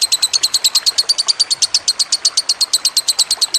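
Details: Lovebird chattering in a masteran recording with trickling water: quick, evenly spaced shrill chirps, roughly seven or eight each second, sustained without pause.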